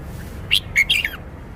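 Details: Red-whiskered bulbul showing off its repertoire of song phrasing: one short burst of three or four bright, clear warbled notes, rising then sliding downward, against a quiet low background hum.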